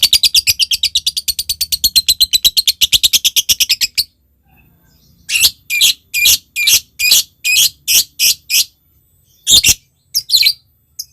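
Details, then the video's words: ['Lovebird ngekek meant to draw a rival lovebird into calling: a fast rattling chatter trill lasting about four seconds, a short pause, then a series of loud harsh squawks repeated roughly twice a second.'] "Suara Lovebird Memanggil Lawan Ini, ngetik lanjut ngekek"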